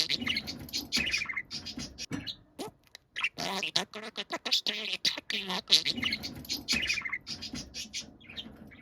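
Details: Pet budgerigar said to make a voice like a middle-aged man and to call itself 'kimoi'; dense scratchy warbling chatter with speech-like syllables, rapid chirps and buzzy notes running almost continuously, with brief pauses.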